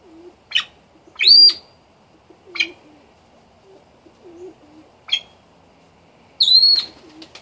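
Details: Yellow golden pheasant hen giving about five sharp, shrill, high-pitched notes across seven seconds, the longer ones dipping slightly and then holding steady, over soft, low, repeated cooing of doves in the background.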